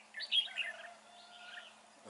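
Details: Red-whiskered bulbul in a fighting trap under dark, overcast skies, singing a quick burst of bright, warbled chirping notes early on, followed by softer trailing phrases over a faint steady low hum.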